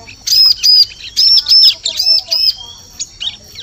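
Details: Bar-winged prinia lure call for attracting birds in forest: loud, high arched notes in pairs with busy chirping between, then quieter scattered chips.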